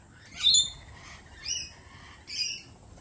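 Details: Lorikeets at a cafe: three harsh, buzzy screeches roughly one second apart, each a short broadband burst, over a quiet low background hum.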